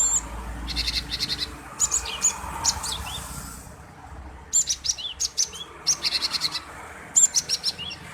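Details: Male cinereous tit singing persistently, used to provoke other birds to sing: very high, sharp chirps in fast clusters of three to six strokes, with thin whistled slurs and brief pauses between bursts.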